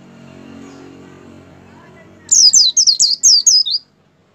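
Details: White-eye singing to encourage a pet white-eye to start singing: after a quiet stretch with faint low background noise, a quick burst of about six sharp, high twittering phrases in roughly one and a half seconds.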